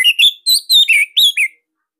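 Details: Close, loud song of a captive Bali orange-headed thrush: a rapid sequence of rich whistled notes with strong overtones, several sliding downward, packed into about 1.5 seconds in a unique, slightly tight 'sirtu' style.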